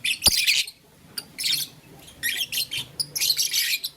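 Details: Blue, lutino and green lovebirds kept as pets play with a flower in the morning, uttering scratchy high chirp bursts between brief silences, ending in a dense run of twittering.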